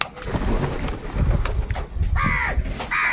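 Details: Two short, nasal crow caws with clear bands of overtones stand out near the end, over a loud, low, rumbling background noise.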